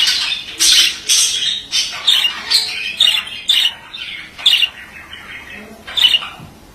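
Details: Male budgerigar giving short bursts of scratchy, squeaky chatter, roughly one burst every second, each a quick rasping phrase that trails off between bursts.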